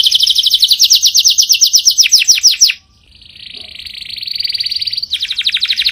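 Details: Powerful canary song: a fast trill of repeated notes, a short pause, a soft rolling buzz, and then the bright trill again.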